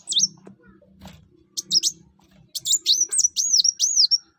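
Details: Sunbird known as kolibri wulung or mucang singing energetically: an opening high downslurred note, a short pair of sharp notes, then a run of five looping, high-pitched whistles ending in a thin trailing tone.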